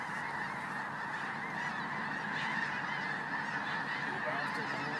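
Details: In South Dakota, a huge gathering of snow geese keeps up a continuous, loud chorus of overlapping honks, swelling slightly midway with no quiet gaps.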